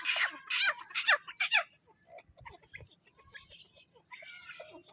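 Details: Grey francolin, known locally as dakhni teetar, a pair: four loud, harsh, ringing notes in quick succession about half a second apart, followed by quieter scattered chirps and clicks.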